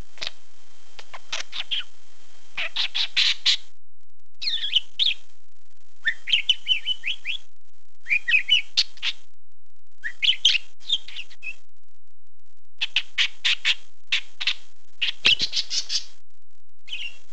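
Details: A pet male budgerigar chatters in quick, scratchy bursts, running mimicked words such as "be a good budgie boy" and "good boy" into its warbling.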